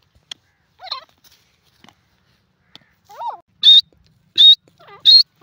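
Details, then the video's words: Grey francolin, known locally as teetar, giving loud high piercing notes that rise at the end, three in quick succession about every seven tenths of a second, after softer lower curved notes and quiet pauses. "the best teetar ki awaaz gora teeter k sounds"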